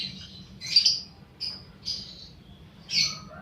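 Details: Young fighter-type lovebird recorded as a lure to provoke long chattering song in other lovebirds; short separate bursts of shrill, high chatter, about five in three seconds, with quiet gaps and a faint low hum.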